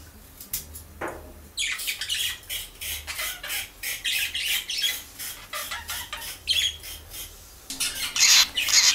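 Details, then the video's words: A baby lovebird, newly added as a companion to pet parakeets, gives harsh, scratchy squawks and chirps in quick bursts, about two per second, high-pitched and uneven, with some rustling. "The Baby LoveBird"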